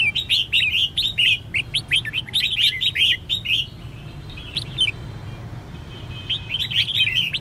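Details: Female red-whiskered bulbul calling to excite males into song: long rapid bursts of chirping, warbled notes, a short quieter gap, then another burst, with steady low hum underneath.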